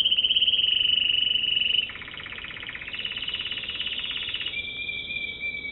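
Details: Loud, rapid high trill from an American Singer canary, dropping into a lower, softer rolling tour and ending on a thin, steady whistle.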